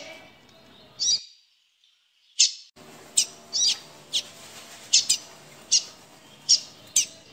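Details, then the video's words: A caged Double-collared seedeater gives a fearful call of sharp, high chip notes at an uneven pace, roughly one or two a second, while desperate to leave the cage, over a soft background hiss. "Chia de coleiro tremendo de medo!"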